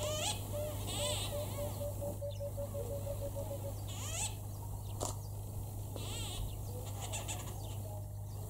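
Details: White-fronted bee-eaters (Merops bullockoides) at Imfolozi, KwaZulu-Natal, South Africa, in July, excitedly give short, rolling, nasal calls to companions in scattered bursts every second or so, over a steady low hum and a pulsing insect-like trill.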